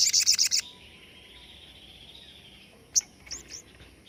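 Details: Short 'tembakan' burst from a crested jay (sogon), used as master material for songbird training: a quick rattle of five or six sharp high notes, then a soft sustained buzz and a few isolated sharp chips.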